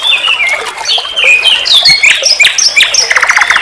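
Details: Varied common nightingale phrases recorded as a vocal teacher for songbirds: sliding whistles and sharp upswept notes tumble together, closing in a quick, dry trill.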